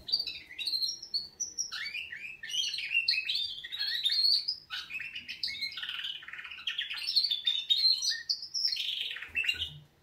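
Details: Canaries singing their wake-up song, an unbroken stream of bright chirps, slurred whistles and rolling trills, fast and varied throughout.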